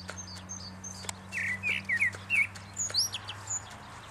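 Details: A Eurasian blackbird in Salzwedel, 2013, sings a brief phrase of mellow, fluty slurred notes ending in a high, squeaky twitter, over a faint low hum.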